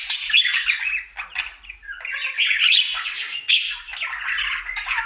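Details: Domestic male budgie in his daily singing routine, a happy bird: dense scratchy chatter mixed with harsh squawks and quick chirps, rolling on without a break for five seconds.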